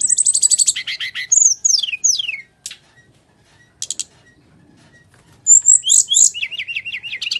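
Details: Bali myna in full fighting-mode song, used as a lure to stir lazy-singing birds: fast rattling trills at the start, then falling slurred whistles and a short buzzy burst, a pause, then bright chirps and quick repeated notes.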